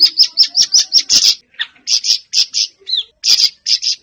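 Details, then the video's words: Siri-siri bird used as a lure to get a pet bird singing. It opens with a fast string of evenly spaced high chirps, then gives looser chirps and a single downslurred whistle. "Burung Siri Siri bakal buka paruh dan gacor"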